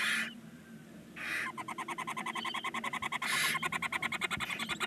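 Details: Barn owl nestlings, nine chicks at day 19 in a chimney-side nest box at Ságvár, Hungary: loud rasping hiss bursts alternate with fast, evenly pulsed ticking that speeds up toward the end.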